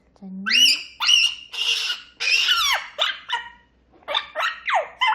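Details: Captive grey parrot chirping noisily in the morning indoors: loud rising whistles, then a string of harsh, buzzy squawks and falling screechy notes, uttered about twice a second.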